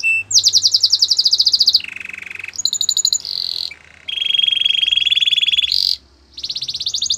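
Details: Canary training song made of varied tours: a high rapid trill, a lower buzzy roll, stuttering chips, a long steady rattling trill, a short pause, then another fast high trill.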